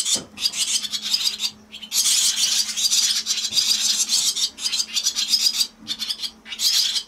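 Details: Swallow chicks, four fledglings at a watched nest on 4 June in the evening around 19:30, give a dense, hissing, high-pitched chatter in bursts of one to two seconds, with a faint low electrical hum underneath.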